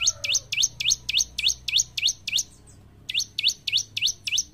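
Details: Bar-winged prinia (ciblek), gacor song meant to encourage caged birds to start singing: a rapid even series of about eight high, rising swept notes, a pause, then five more.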